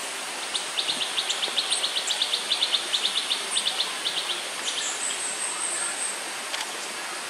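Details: Crimson-breasted flowerpeckers, two just-fledged young being fed by their parents outside the nest, give rapid thin, high ticking notes, about three per second for several seconds, over steady insect hiss; Perdek, 18 May 2010.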